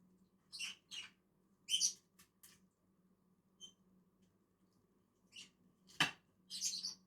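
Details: Two lovebirds eating in a tree utter scattered short, shrill chirps and a thin high tick, with one sharp click near the end.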